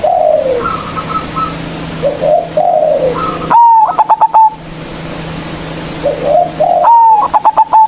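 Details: Local zebra dove (perkutut lokal) lure recording meant to provoke rivals into singing: soft falling coos, then a loud sustained note broken into rapid stuttered pulses, heard twice, with slight distortion on the loudest notes.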